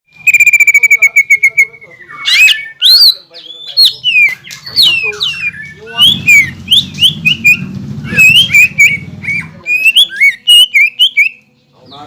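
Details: Green leafbird in full, persistent song, used as bait to provoke rival birds into singing, said to include kingfisher and magpie robin sounds: a long steady whistle, then rapid varied slurred whistles and chips over a low hum in the middle.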